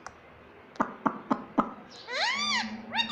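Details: Green pet ring-necked parakeet, said to say mummy and papa, makes four sharp clicks about a quarter second apart, then a broad arched harmonic syllable and a short rising note at the end.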